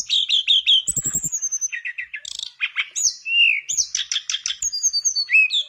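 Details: Nonstop Mangrove blue flycatcher song as a lure for a silent flycatcher: quick rhythmic chirping phrases, bright whistles falling in pitch, rapid twitters and a brief burst of low rattling clicks.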